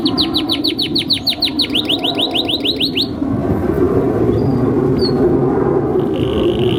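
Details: Canary master song for training young canaries: about three seconds of rapid repeated falling notes, then the singing stops and only steady low rumble with a faint brief whistle remains.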